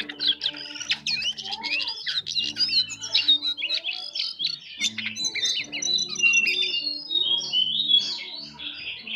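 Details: Jongkangan bird singing vigorously in a soft twittering style called ngeriwik halus: dense, rapid high chirps and short whistled notes, run together almost continuously, with a low steady hum underneath.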